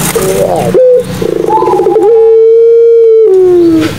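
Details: Barbary dove in the Madura pelung style, played to prompt silent doves to call: short rising throaty notes, a rough rolling burst, then one long steady drawn-out coo held nearly two seconds and ending in a falling slide.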